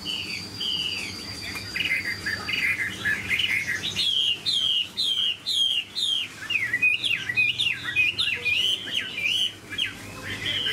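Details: Chinese hwamei kept in a cage, large and fine-voiced, giving a lengthy song of mellow whistles that grows into a rapid, loud string of sliding, repeated notes over a faint hum.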